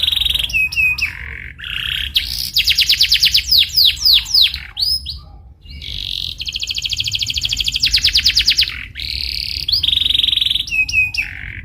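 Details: Canary lure song for teaching a rolling, energetic style: alternating steady whistles, quick chips and long rapid trills repeated several times, all high-pitched and clear against a quiet background.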